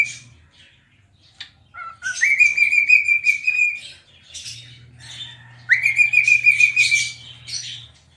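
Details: Cockatiel kept as a pet, dancing and rubbing its tail as it sings. Two phrases each open with a low note, rise, then hold a bright flat whistle laced with rasping chatter. A low steady hum runs beneath.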